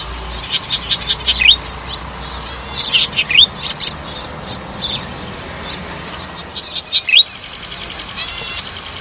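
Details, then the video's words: Golden-headed cisticola song with melodious phrasing: rapid runs of short ticking notes, each phrase closing with a bright rising whistle, repeated several times, followed by a brief harsh buzz near the end. "Cengkok merdu burung imut branjangan mini cici padi kepala mas"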